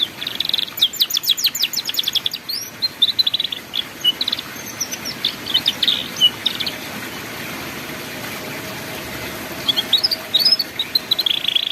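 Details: Canary singing ngeriwik-style song meant as a tutor for juvenile canaries: quick rolling trills and chirps at the start, a long near-silent stretch, then renewed sweeping whistles and trills.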